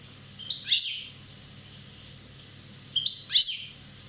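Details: European goldfinch, a one-year-old Corsican bird, giving two brief high twittering phrases, each a sharp rising and falling burst, about two and a half seconds apart over a faint steady hum.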